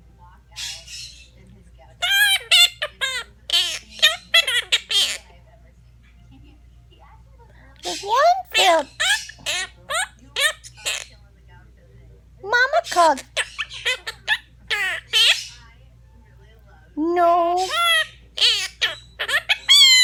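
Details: A pet Monk (Quaker) parakeet, female, gives chattering, warbling vocal bursts, singing along in turns as a woman sings children's songs such as Itsy Bitsy Spider.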